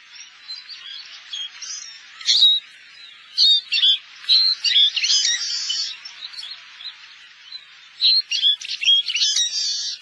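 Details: Finches labelled as Eurasian siskins, a winter visitor in Korea, give a steady stream of high, twittering chatter, with brighter buzzy trills and tinkling notes bursting out every second or two; identified here as Oriental greenfinch.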